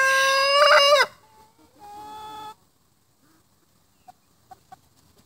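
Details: Loud, rich crow from a rooster opens with a strained, harmonic-laden burst for a second. A softer, level held note follows, then near silence with a few short clucks.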